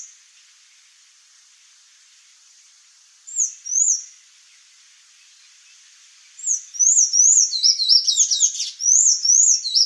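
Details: After a soft hiss, a pair of high upslurred notes, then a busy burst of squeaky twittering from a Sayaca tanager grows loud over the last three seconds.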